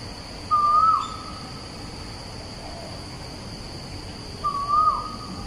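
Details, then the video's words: Bukit Batok East recording of an Asian koel, 14 September 2021: two clear rising whistles about four seconds apart, each with a short hooked ending, over a steady high hum and faint background birds. "Asian Koel - Song Recording"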